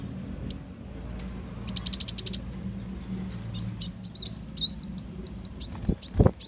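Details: Lure call of a sunbird, named muncang or kolibri wulung, used to catch birds: a high sweeping squeak, a rapid burst of about eight chips, then a row of sliding whistles, with a couple of low knocks at the end.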